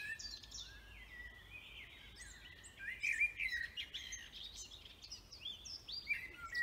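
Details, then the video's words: Several birds singing in a forest, overlapping twittering and short whistled phrases, some slurred and rising, over a steady hiss of background noise. "Vogelgezwitscher Bird songs"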